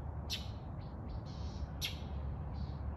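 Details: Northern mockingbird, annoyed at peafowl in a yard in the morning, gives two harsh, scratchy chack notes about a second and a half apart, with softer buzzy notes between, over steady low rumbling background noise.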